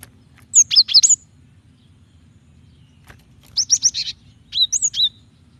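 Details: Female cinereous tit calling to the male to draw him into song: three separate bursts of high chirps, mixing sharp clicks, buzzy notes and slurred whistles, spaced one to two seconds apart.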